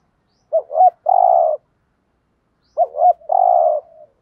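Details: Spotted dove cooing in the thúc gù style, used to draw wild doves: two quick rising hooted notes, then a longer steady purring coo, the three-part phrase given twice about two seconds apart in silence.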